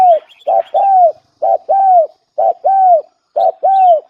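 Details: Spotted dove lure call delivered rhythmically: a short coo followed by a long smoothly arched descending coo, the pair repeated four times about once a second, clean with only slight chirps.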